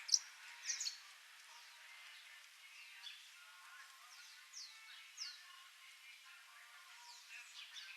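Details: A swallow-tailed hummingbird tending a chick in the wild gives thin, very high chips and short squeaky notes, scattered every second or two, over a faint background hiss.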